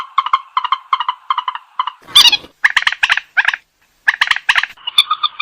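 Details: Purple swamphen calling in short clusters of paired nasal clucks, broken by a loud harsh screech in the middle, then further bursts of louder clucking notes with brief silent gaps.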